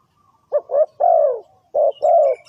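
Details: Spotted dove used to lure birds into a trap, giving two soft cooing phrases: a couple of clipped coos then a long, gently descending coo, with faint high chirps at the end.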